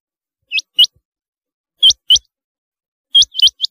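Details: Rain quail calling in clear, high, upward-flicking double notes. Pairs come about every 1.3 seconds, and the last burst runs to three or four quick notes. No other sounds.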